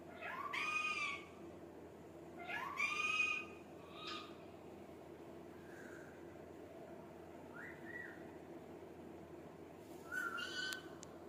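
A pet rose-ringed parakeet gives a handful of drawn-out, nasal, almost meow-like talking phrases, spaced a few seconds apart, over a low steady background hum.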